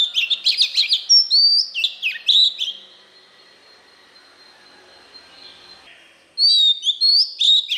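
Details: Oriental magpie-robin singing in its wild-type 'forest voice', used to stir newly kept birds to sing: bright whistled phrases and sharp chirps high up, a long quiet pause with a faint steady hum, then a renewed burst of varied notes.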